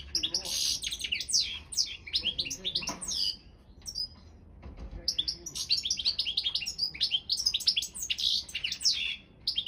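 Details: Balkan European goldfinch, Carduelis carduelis balcanica, singing for an online world championship: dense, varied twittering with sharp chirps and quick slurred notes, briefly pausing near the middle before a long lively run resumes.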